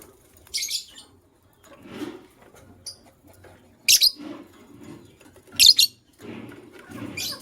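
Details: Paired white lovebirds chirp in the morning. Sharp, high squeaky bursts come roughly every one and a half seconds, with softer murmuring calls in between.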